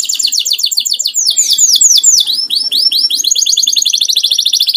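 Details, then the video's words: Domestic canary, kept at home rather than for contests, pours out continuous high trills, slurred downward swoops in the middle, then rapid even rolls. "burung kenari buat nemenin ngopi"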